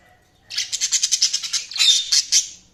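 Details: Single budgerigar chirping after a brief silence: a rapid run of about a dozen evenly spaced scratchy pulses, then a few louder harsh squawks.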